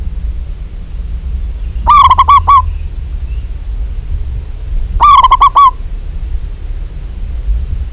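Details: Female zebra dove of local Indonesian stock calls to a male: two short, rapid runs of four or five mellow cooing notes about three seconds apart, against low background hum.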